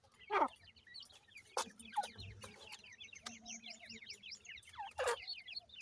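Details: Chicks of the grey francolin calling their mother: a clear run of high, downslurred peeps in quick succession from several chicks, with a few loud thumps and a low hum.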